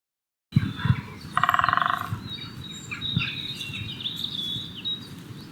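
A great spotted woodpecker gives one quick drum roll, a rapid burst of strikes lasting under a second. Thin bird chirps and a low outdoor rumble follow.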